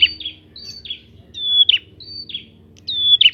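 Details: Prinia song meant to provoke other prinias: repeated high whistled notes, some drawn out and level, others sliding down into a buzzy trill, roughly one phrase every second or so, low hum beneath.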